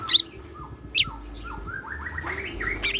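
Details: A kept greater green leafbird delivering siklon-filled song: an opening shrill chip, then a ladder of short whistled notes rising steadily in pitch, closed by harsh high bursts, against a faint low drone.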